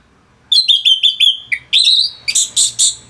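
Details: Orange-headed thrush, a kept bird from northern Bali, singing in full voice as training material for other songbirds: a rapid run of clear whistled notes near one pitch, then a rising slur and several loud, harsh high chirps.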